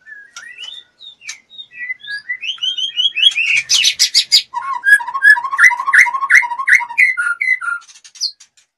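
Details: Breeding-condition female white-rumped shama in a cage, singing a long varied song: rising whistled notes, then a loud harsh buzzy burst, then fast rhythmic paired notes and chips.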